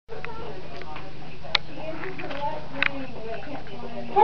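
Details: Edgar, a glove-trained common raven, has started mimicking human speech again since being on his own, and says "hello" in a low, throaty talking voice with word-like syllables; a person speaks briefly near the end.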